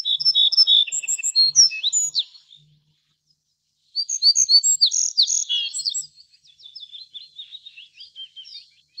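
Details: Little bunting giving two bursts of high, rapid, jangling notes, each about two seconds long and separated by a short silence, followed by fainter thin chips; a faint low hum lies underneath.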